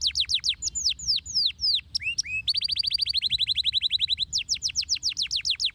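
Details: Canary singing, played so other canaries respond: quick descending whistles, a pair of low upward notes, a long fast trill of uniform chips, then more falling whistles.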